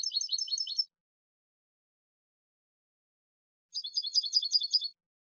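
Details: Goldfinch song in two dense bursts of rapid, high, tinkling and buzzy notes, each close to a second long, with silence between.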